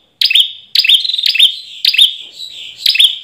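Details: Ashy tailorbird, recorded for use as a lure, gives loud, high whistled phrases, each opening with a sharp note and a ringing trill, repeated about every half second.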